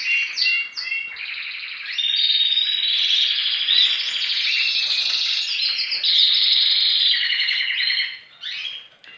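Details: Belgian canary: a male domestic canary, kept for breeding with a female, sings in the breeding season while females sit brooding on nests. It gives a long, fast, high warble of bright trills and rolling phrases, with a man talking faintly.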